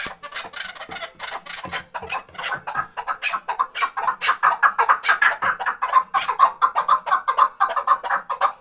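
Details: Tethered chukar partridge from Khoja Mumin salt mountain, a hunting bird. Its chucking calls start soft and irregular, then grow louder and more evenly spaced, at about two per second.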